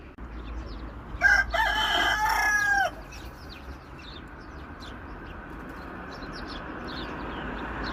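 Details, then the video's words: Single farm rooster crow, a strong, harmonic call held for under two seconds and ending in a falling note, followed by steady low background hum and faint high chirps from other birds. "Rooster Crowing"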